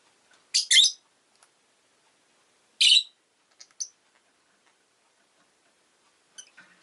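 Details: Rosy-faced lovebird uttering a harsh doubled chirp, another loud rasping call two seconds later, then brief thinner peeps and faint ticking.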